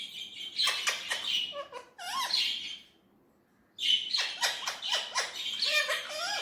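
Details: Indian ringneck parrot chatters in bursts of clipped, buzzy, word-like syllables with small gliding notes, falls silent for about a second, then resumes with another quick run of chatter.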